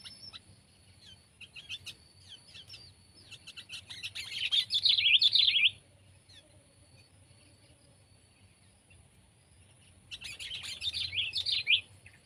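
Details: Sooty-headed bulbul, pet and wild compared: faint ticking chirps build into a loud bubbly warbled phrase, a long quiet stretch, then a second similar burst.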